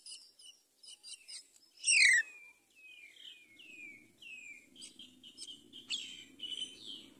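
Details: Mother common myna bringing rice to feed her chick: quick high chirps, a loud buzzy downslurred note, then a series of short descending whistles and varied squeaky notes, all fairly soft, over a low murmur.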